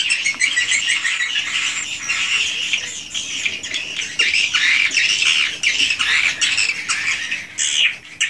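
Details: Swiftlets calling inside their house, raw unedited calling and roosting sounds: a thick wash of high twittering with rising, slurred chirps standing out, briefly dipping near the end.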